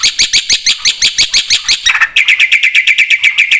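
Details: Black-winged myna song rich in fill-in phrases: a string of rapid metallic notes that shifts partway to a lower, clearer ringing tone, all evenly repeated.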